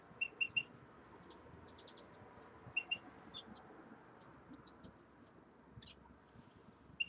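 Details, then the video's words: Common redpolls getting used to a new cage give scattered clusters of short high twittering notes, several triplets separated by quiet gaps, with faint room noise. "Реполов Чечетки обживают новую клетку"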